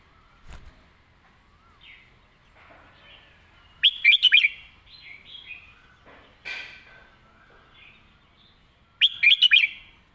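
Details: Red-whiskered bulbul singing its master song with graceful phrasing: two loud four-note chirped phrases about five seconds apart, with scattered softer chirps and warbles from other birds and a tap early on.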